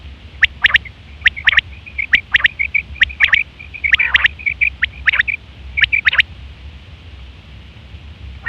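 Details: Calls of a female quail, recorded as a hunting lure: rapid sharp high notes in clusters with soft chattering trills between them, most of the sound in the first six seconds, then quiet apart from a low hum.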